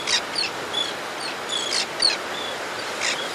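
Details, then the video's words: Close-up of an adult white-fronted tern coming in to its nesting ledge to feed its young: grating, scratchy notes mixed with brief high whistled squeaks, several in quick irregular succession against soft outdoor hiss. "White-Fronted Tern. CU Calls From Adult As It Comes To Nesting Ledge To Feed F"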